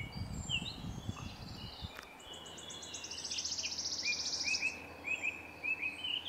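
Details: Red-crested cotinga in Cochabamba, Bolivia, at Laguna Corani in April 2023: a rising, pulsed, buzzy note of nearly two seconds. Other birds follow with a run of short upslurred chirps repeated about every half second, over low rumble.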